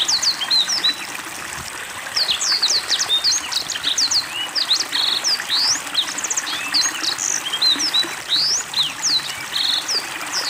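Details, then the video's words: Black-throated Canary singing a fast, continuous high twittering of quick chirps and short slurred whistles during water therapy, over a steady trickle of running water. "Blackthroat Gacor Dengan Terapi air"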